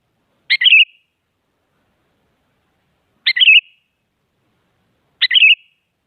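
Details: Active sooty-headed bulbul, singing to make other bulbuls answer: three short, chirpy, gurgling phrases spaced roughly two and a half seconds apart, each a sharp note slurring into brief whistled wobbles, over silence.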